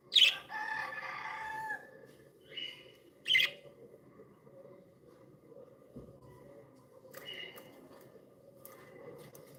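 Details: Pet budgerigars, described as happy and playful, give scattered chattering and squeaky chirps, with a louder burst at the start and quieter warbles later, over a low room hum.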